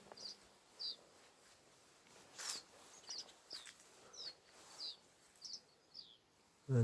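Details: Young great tits up in garden trees give thin, high, slightly falling notes, one or two each second, over a low background hum and a couple of knocks.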